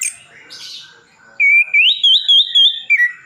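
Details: Orange-headed thrush from Sidoarjo, East Java, whose song is loaded with imitations. After a soft start, a clear whistled phrase rises, then wavers through several pulsing notes before dropping at the end.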